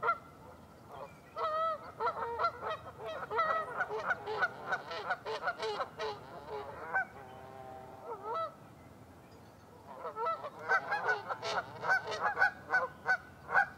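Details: Flock of Canada geese honking at Lacamas Lake, Washington, on the morning of February 27, 2012: dense overlapping nasal honks, a short quieter stretch of lower calls, then loud chorus again.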